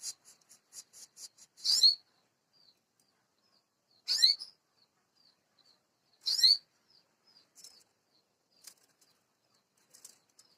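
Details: Canary singing: a few soft short chirps, then three loud high buzzy trilled bursts about two seconds apart, followed by scattered brief high notes.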